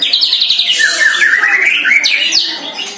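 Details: One-year-old White-rumped shama in its first training session against a neighbour's shama, singing rapid high whistled phrases with slurred rising and falling notes and sharp upward sweeps, in a continuous tumbling stream.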